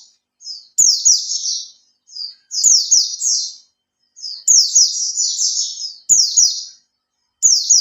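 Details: Oriental white-eye kept in a cage for three months giving lure song: each phrase opens with a soft short note, then a loud run of rapid descending high chirps, repeated five times.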